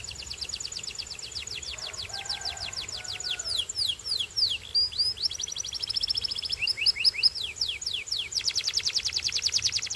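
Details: Belgian singing canary in full song: long series of fast, high whistled sweeps repeated in rolling trills, shifting pace and pitch, with a brief softer lower phrase early on.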